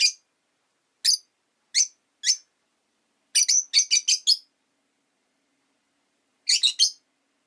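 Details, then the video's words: Repeated shrill, high chirps from five pet rosy-faced lovebirds caged by a window in winter. Four come singly, then a rapid burst of about six, a pause, and a final trio. "Lovebird Chirping Sounds"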